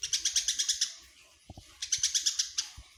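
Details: Eurasian tree sparrow, tame and vocal: two quick bursts of bright, high, clipped chirps, each about seven notes long and separated by a brief gap, over occasional dull low thumps.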